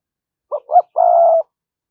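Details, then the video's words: Spotted dove as a decoy bird: two quick rising coo notes lead into one long, even, low hoot in the 'thúc gù' style, with nothing else audible. "cu gáy mồi cây thúc gù bài bản"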